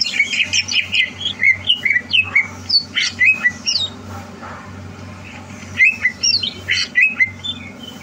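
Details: Competition-bound greater green leafbird, recorded 30 November 2022, delivering jerky phrases of squeaky, chattering whistles and harsh notes. It pauses briefly mid-clip, then resumes with more rapid warbling, while a low hum persists.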